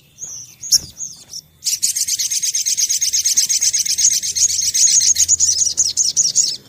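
A sunbird sings: a few thin high whistles, then a fast, sustained chattering trill of sharp, metallic notes lasting about five seconds.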